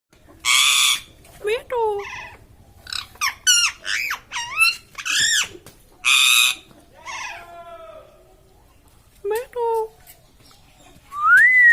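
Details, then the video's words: Parrot talking: a run of short speech-like syllables with curving, warbling pitch, mixed with harsh broadband squawks, a pause of about two seconds, then a few more squawks and a clear rising whistled note at the end. "parrot is talking"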